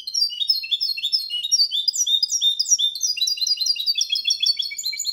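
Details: Goldfinch × canary hybrid singing a clean Malaga-style (limpio copia) song used to stimulate male goldfinches and hybrids to sing: rapid, high twittering phrases of short repeated notes, shifting through varied trills without pause.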